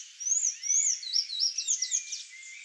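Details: Sayaca tanager: a hurried, squeaky warble of thin, high, sliding chirps and twittering notes, rising and falling continuously for nearly three seconds with no pauses, with no other clear sounds.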